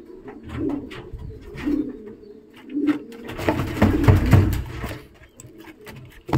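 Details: Racing homer pigeon of imported Jose Thone lineage, with the fast red female featured. Three short, low throaty coos come about a second apart, then shuffling, wing noise and handling sounds take over.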